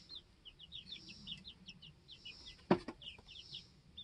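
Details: Baby chickens two weeks old peep steadily in their homestead coop: a run of high, short, falling notes, one after another, broken by a single sharp knock partway through.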